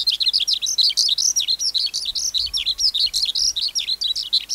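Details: Continuous fast skylark song from a wild-caught adult, high chirps and down-slurred twittered notes running together, with faint low thuds underneath.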